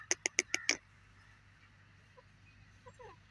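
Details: A francolin, calling in front of another francolin, gives five loud, clipped notes in quick succession. Faint soft chirps and a low hum follow.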